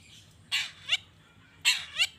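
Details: Long-tailed shrike calling, used to provoke other shrikes into answering; two paired harsh notes, each a rasping burst followed by a quick downward-sliding tail note, about a second apart.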